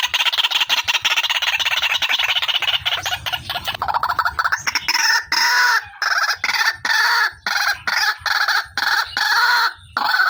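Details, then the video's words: Lure recording of a female white-breasted waterhen: first a rapid, dense, rattling run of harsh notes for about four seconds, then steady, evenly spaced nasal calls roughly twice per second until the end. "SUARA PIKAT BURUNG RUAK-RUAK"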